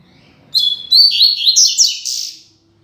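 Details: Rusty-collared seedeater classic "Tui Tui Zel Zel" song, used to train and tutor young seedeaters: a two-second high phrase of a clear whistle then quick rising and falling twittered notes ending in a buzzy flourish, clean background.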